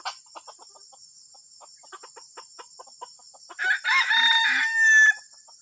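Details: Soft, scattered clucks from a junglefowl build into a long, rasping crow with a rising end, a call described as strange and disturbing. A steady high-pitched hum continues in the background.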